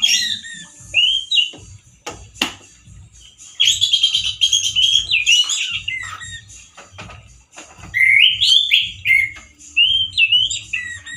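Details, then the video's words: Male orange-headed thrush with a loud, coarse song like a wild bird's and limited variety. Bursts of slurred whistled phrases are broken by sharp clicks and knocks, over a low rhythmic hum. "ANIS MERAH GACOR SUARA KERAS DAN KASAR SEPERTI DI ALAM LIAR"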